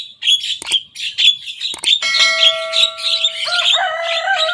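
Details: A young Javan myna in full voice copies rivals' songs: quick raspy chirps give way to a long, steady, reedy whistle with layered harmonics that shifts lower near the end.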